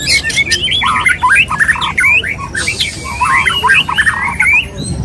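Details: White-rumped shama male wooing a female: tumbling, varied whistled phrases with upward and downward slurs, packed closely together, plus scattered sharp clicks.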